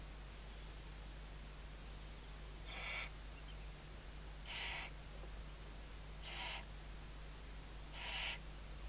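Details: On a webcam in the morning at Riet Vell Nature Reserve, Ebro Delta, Tarragona, Spain, in the 2023 season, a western barn owl gives four harsh, hissing screeches, each about half a second long and roughly two seconds apart, over a steady low hum.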